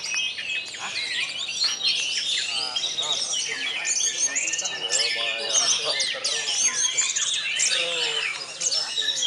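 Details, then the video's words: Orange-headed thrushes (anis merah) singing against each other in a contest between birds numbered 13 and 22. Nonstop, varied high warbling with tumbling whistles, sharp chips and buzzy trills runs throughout. Faint talk sits underneath. "LATPRES MALEBER-AKSI ANIS MERAH ALEXIS NO(13)VS ANIS MERAH KIPAS PASTI(NO 22)"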